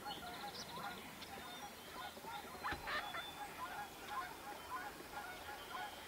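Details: Wood ducks pairing off, a group calling together: short, nasal, squeaky notes overlap steadily, with brief higher squeals and a thin buzzy trill near the start over a soft background hiss.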